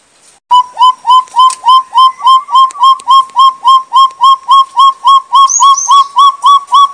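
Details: Sumatran partridge (Arborophila rubrirostris), a species endemic to Sumatra's Bukit Barisan montane forests: a lure call of loud, steady, clear whistled notes, each rising then falling, repeated about three to four times a second without pause.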